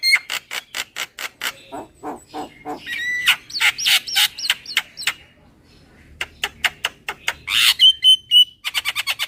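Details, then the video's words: Javan myna kenyih lure sound, a fast stream of clipped harsh notes with raspy squawks and slurred whistles between them, followed by a pause and a renewed rapid burst. "SUARA PIKAT JALAK KEBO SUPER KENYIH"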